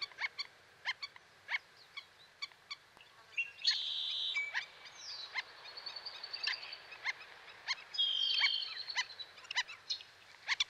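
Black-necked Stilt giving sharp, high yipping notes in an irregular series, about three a second, with brief whistled phrases from other birds in between.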